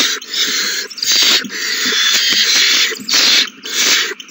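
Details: Several owl babies being fed a large meal, dated 27 March 2020: loud, rasping hisses in long breathy bursts, about five in quick succession, with faint clicks and rustles between them.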